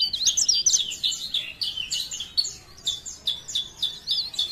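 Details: Cikrak daun, a leaf warbler from Parepare, gives blereng gacor song: quick bursts of high, tinkling, squeaky notes repeated about four times a second, with short dips between phrases.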